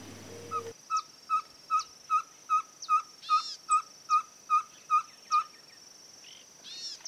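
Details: A Ferruginous Pygmy-Owl in rural groves of Santa Fe, Argentina, 2023, gives a steady series of soft, mellow single toots, about two or three per second, all on one pitch.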